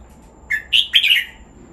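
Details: Red-whiskered bulbul (Pycnonotus jocosus), caged bird, singing: a brief, bright phrase of three or four liquid, slurred notes, the middle ones loudest, over a quiet background.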